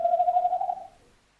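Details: Tawny owl, recorded 11-01-2026, ending a call: a steady, hollow hooting tone that fades out and dies away after about a second.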